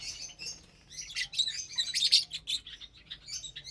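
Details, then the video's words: Several lovebirds eating vegetables and seeds on a Saturday morning; rapid irregular high-pitched chirps and squeaks, rising in loudness midway then trailing off. "Lovebirds Meal Time"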